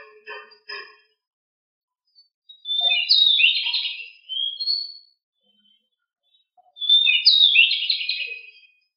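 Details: Pied bushchat (decu), a household bird, on a master recording meant to get birds singing steadily: two bursts of scratchy, buzzy high warbling about four seconds apart, preceded by a few short harmonic chirps.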